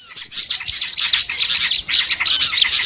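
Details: Small birds chattering together in a lure recording meant to draw birds in for catching: dense, high, overlapping chirps and short twitters, growing busier and louder after the first second, with no other sounds.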